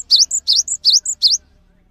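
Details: Singing cinereous tit, a bird used to teach other birds, gives four quick phrases of a swooping whistle joined to a high piping note, then stops; faint low hum beneath.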